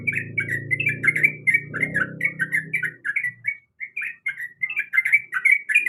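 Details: Sooty-headed bulbul female calling the male: a run of quick whistled chirps with a short pause midway, a loud low droning noise in the first half.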